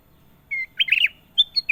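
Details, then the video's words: Brief sooty-headed bulbul phrase: a level whistle, then a warbling, bubbly cluster of notes, then two clear short whistles rising in pitch. "KUTILANG EMAS PALING MERDU! Suara Gacor Panjang Bikin Burung Lain Terpancing"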